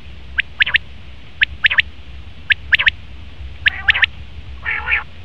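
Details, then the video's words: Crisp three-syllable phrases from a male common quail, evenly spaced about a second apart, ending with a lower, harsh, nasal growl-like note. "Best Common Quail Male sound/Nar batir ki awaz"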